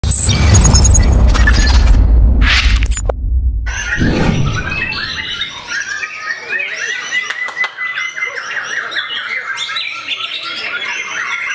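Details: White-rumped shama actively attacking a rival, singing varied, high whistled phrases with rapid chattering notes. Loud low rumbling noise covers the first four seconds, then the song carries on clearly.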